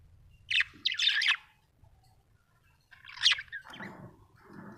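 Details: Small parrot making a few raspy high chirps, then a quiet gap and a second burst trailing into softer lower chatter, over a faint hum.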